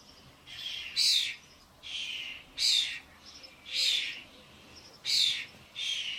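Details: Garden feeder visited by adult common starlings and their fledglings, many birds around the suet; five wheezy, rasping bursts spaced roughly one second apart, each swelling into a sharper screechy note.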